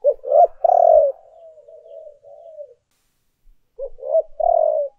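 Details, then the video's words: Lure recording of a spotted dove giving urging and calling coos: short rising notes, a long, full coo, then softer trailing coos that fade out. After a pause, the phrase begins again. "tiếng cu gáy thúc và gáy gọi hay nhất"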